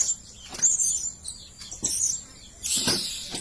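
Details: Blue-crowned hanging parrot (Loriculus galgulus) calling: thin, very high squeaky notes in three short bursts about a second apart, with a faint background hiss.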